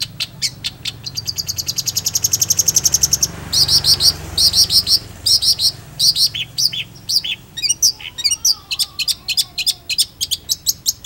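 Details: Long-tailed shrike singing busily: a fast accelerating series of sharp ticking notes, then bursts of trilled chatter and scratchy phrases, ending in quick repeated high clicks with a faint low background rumble.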